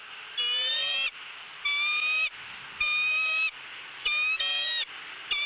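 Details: Female bald eagle at a Southwest Florida nest begs for fish from her mate, recorded by nest camera. Five high, ringing squawks repeat steadily about once per second, with a faint lower tone under some of them.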